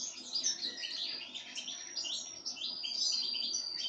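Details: Pine grosbeak being fed sunflower seeds: a dense, continuous stream of high chirps and short twittering notes, overlapping throughout, with a faint thin steady tone running beneath.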